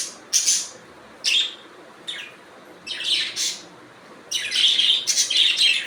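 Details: Budgerigars chirping: a few isolated raspy notes spaced about a second apart, then a loud continuous burst of warbling, buzzy chatter at the end.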